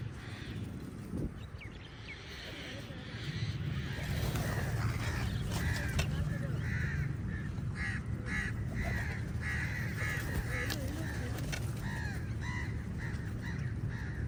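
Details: Flock of crows contesting food with eagles: a long run of rough caws, several birds calling over one another about three times a second, above heavy low background rumble.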